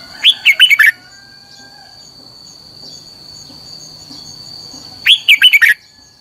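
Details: Red-whiskered bulbul singing for song training, two short bursts of loud warbled, rising-and-falling whistled notes about five seconds apart, with a steady high electronic tone and quiet gaps between.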